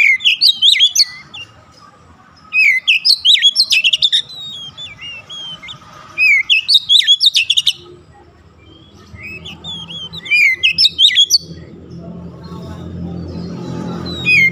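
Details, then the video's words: Oriental magpie-robin singing as a lure for a bird that has stopped singing: loud bursts of quick, varied whistles and slurred warbles come every few seconds, then fade near the end into a low rumbling background. "KACER MACET BUNYI LANGSUNG GACOR"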